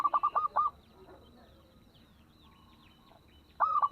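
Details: Local Indonesian zebra dove with a small voice, used as a lure so other doves will sing along; two short bursts of rolling, hollow cooing notes at the start and end, with faint chirps from other birds between.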